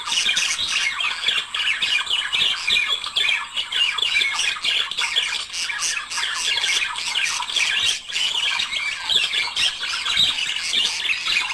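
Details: Budgerigar couple singing, the sound used to encourage budgies to mate: busy unbroken chatter of gritty squawks, clicks and short whistles layered over one another throughout.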